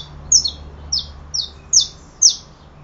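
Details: Saffron finch singing a short series of five sharp, high chirps, each sliding downward, spaced roughly half a second apart over a faint low hum.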